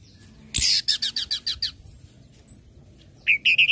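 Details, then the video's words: Orange-headed thrush song used to trigger other birds to sing: a loud burst followed by a fast series of buzzy, high chips, then a pause, a thin whistle, and a rapid run of four short rolling notes. "SUARA ANIS MERAH NGECIP NGECIT NGEPLONG PEMANCING BIRAHI AGAR IKUT BUNYI"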